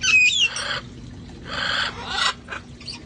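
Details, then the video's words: Rescued parrots playing outside before it got cold; opens with a sharp descending whistle and scratchy screech, then two broad raspy squawks and a softer trailing call. "sounds of parrots having fun outside"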